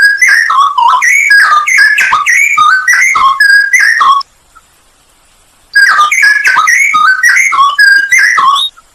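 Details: Loud, bubbling whistles of a Straw-headed bulbul in a full 'isian nembak' masteran song: about four seconds of rapid slurred phrases, a pause of roughly one and a half seconds, then another energetic burst.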